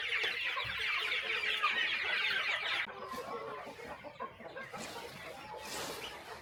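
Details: A flock of chickens at morning feeding on a small countryside farm, with steady overlapping clucks and chatter that drop suddenly quieter midway, leaving softer scattered calls.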